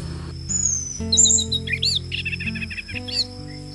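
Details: Captive orange-headed thrush set out before sunrise in early-morning dew, a routine meant to raise its breeding drive and loud singing; it gives a rich, varied, loud, fast run of clear whistles and quick slurred notes over background music.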